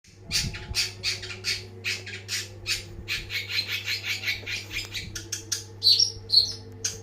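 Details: Long-tailed shrike singing very actively, a rapid run of short harsh notes repeated about twice a second, ending in a few brighter squeaky notes, over a steady low hum.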